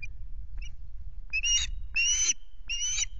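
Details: Osprey on its Loch Garten nest, recorded by a nest camera on 26 May: faint opening notes, then three loud, strained whistled cries about every 0.6 seconds, each slightly rising, over a low wind hum.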